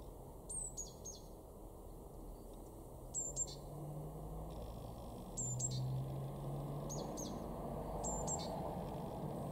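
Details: A blue tit in a garden in Weener, East Frisia, northwest Germany, in March 2024 gives five short phrases of very high, thin notes that drop slightly in pitch, one every two seconds or so, over a steady low rumble.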